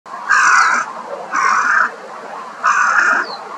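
A crow gives three harsh, hoarse caws, each about half a second long, spaced roughly a second apart against a quiet background.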